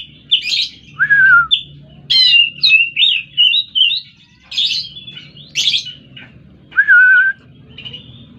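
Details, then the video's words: Oriental magpie-robin song mixing sharp, high chirps and rattly notes with two drawn-out, falling whistles. The notes come in quick bursts, with a faint low hum behind. "burung kacer"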